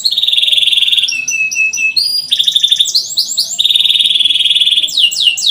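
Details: Singing canary used as a prompt for young birds learning to sing: rapid rolling trills alternating with lower buzzy runs and clusters of upward-sweeping whistled notes, loud and close.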